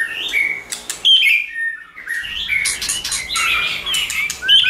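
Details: White-rumped shama singing many-voiced phrases to stimulate another shama: mellow whistles and rising slurs, a short quiet gap, then dense twittering notes mixed with sharp clicks.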